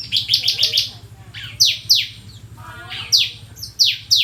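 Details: Bar-winged prinia in full song: sharp, high, downward-sweeping notes, first in a fast run of five, then spaced pairs and singles, over a steady low hum.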